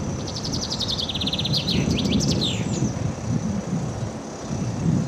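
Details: A common chaffinch (Fringilla coelebs) in Södermalm, Stockholm, sings a bright, high trill of quick repeated notes running down the scale over about two seconds, against a steady rumble of traffic.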